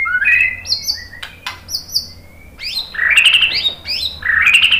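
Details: White-rumped shama in full varied song, meant to spur other birds into singing: bright whistled phrases mixed with sharp high swoops and a rich rolling warble near the end.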